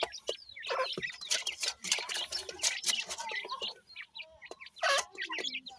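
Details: Grey francolin chicks feeding together, making constant shrill peeping and twittering, many quick high notes at once, punctuated by louder bursts and faint clicks.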